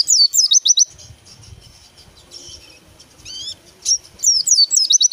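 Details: White-eye song of rapid, high, sweeping whistled notes, with a short burst at the start and another at the end, and a few scattered softer chirps between.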